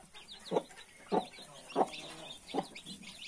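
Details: Mother hen with 31 newborn chicks: four low, separate clucks about half a second apart, mixed with faint high chick peeping.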